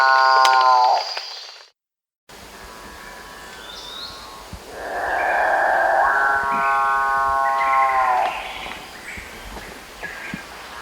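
Capuchinbird giving a long, low, droning moo that swells and then fades, like a distant cow. Faint higher whistles from other birds are also heard.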